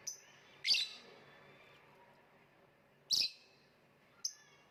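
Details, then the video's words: Lovebird producing three loud, harsh, high-pitched shrieks spaced a second or more apart, the last one short. "voice of lovebird / Lovebird kicau"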